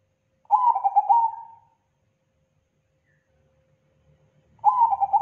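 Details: Thick, loud, clean zebra dove lure call: a quick stuttering run of pulsed coo notes that ends in a drawn-out tone. After about three seconds of quiet with a faint low rumble, the next phrase begins.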